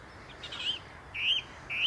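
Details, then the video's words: Song thrush singing from the top of a tree on a trip to the Inn River gives three short, clear whistled notes, each slurring slightly upward, spaced about half a second apart, over quiet hiss. "Wonderfull song thrush singing beautiful"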